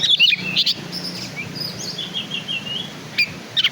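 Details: Black-and-white Oriental magpie-robin, a kacer from songbird hobby circles, giving sharp chirps then a long sliding whistle that wavers and falls, ending with brief clipped notes over faint background noise.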